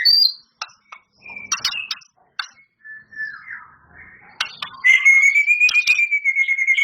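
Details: Champion white-rumped shama singing, its song holding 'isian' fill-ins said to include canary, cililin and lovebird. Scattered sharp clicks and short whistles lead into a clear, steady whistled note with fast pulsing that rises slightly in pitch.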